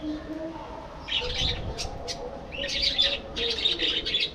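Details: Budgerigars in a captive breeding colony aviary: bursts of bright, warbling chirps in clusters, with a softer murmur of lower chatter running underneath throughout.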